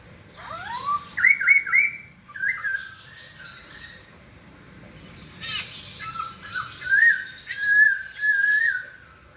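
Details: White-crested laughingthrush singing: rising whistled slurs climbing toward a wavering, warbled phrase, then a pause and a second run of looping whistles mixed with harsh, raspy bursts.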